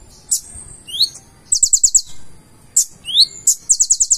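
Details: Purple-throated sunbird singing a trained full song: high sharp chips, a rising slurred whistle, then quick rattling runs of five or six piercing notes, repeated twice over four seconds.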